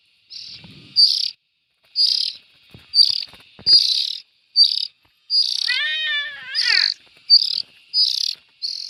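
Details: Hissy, rasping bursts from young bulbuls repeated at uneven intervals, with a brief series of arching, clearer whistled notes near the end and a few soft knocks.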